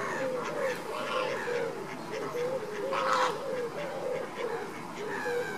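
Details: Caribbean flamingos at baseline activity keep up a low, repeated, grunting chatter of short arched notes, about two per second, with brief higher honks breaking through.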